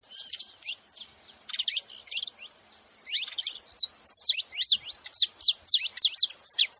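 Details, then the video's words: Saffron finch singing: a rapid series of high chirps and short downslurred notes, bunched into bursts, growing louder and more regular in the second half; no other sounds stand out. "Canário da terra fazendo barulho"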